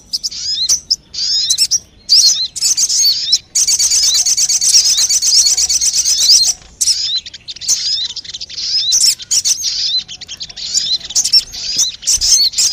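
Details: Crested jay calls played to lure birds: a sustained high rattling trill lasting several seconds, surrounded by scattered sharp chirps and slurred notes.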